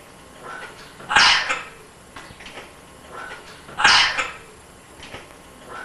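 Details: Pet African grey parrot born 10 January 2000, talking and imitating; two sharp barking squawks about three seconds apart, each with a short trailing note, plus faint quieter sounds in between.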